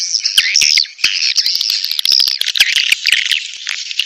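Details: A birahi mating call of edible-nest swiftlets, played to attract swiftlets to a nest house. It is a busy, high chatter of slurred chirps and short rising and falling twitters, punctuated by a few clicks.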